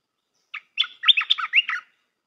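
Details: Red-whiskered bulbul song used to train young birds: one short chirp, then a loud, fast, tumbling phrase of bright, melodious warbled notes lasting about a second.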